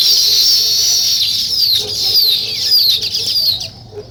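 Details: Weaver birds building a nest, busy high chirping chorus with falling whistled notes that stops abruptly near the end.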